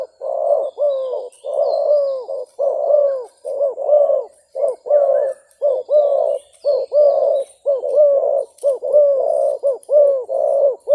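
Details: Decoy spotted dove used for trapping, calling against a fighting wild bird. Dense run of low, mellow, downward-curving coos, roughly one per second, overlapping throughout, with faint high chirps from other birds behind.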